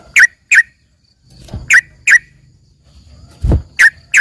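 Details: Sharp, bright chirps from a trained trucukan (yellow-vented bulbul) whose song is compared to a gacor cucak ijo (greater green leafbird), given in pairs with gaps and two dull low knocks between.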